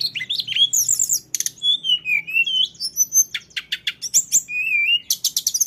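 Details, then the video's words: Ngeroll song of a lesser shortwing: thin, sliding whistles mixed with dense chattering notes and quick trills, high and continuous, with a faint background hum. "tledekan gunung jenis apapun bakal nyuat emosi‼️ dengar tledekan ngeroll ini"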